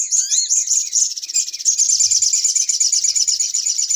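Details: Spiderhunter lure call for trapping: an opening rising whistle, then a continuous, intense, high, fast chattering trill to the end.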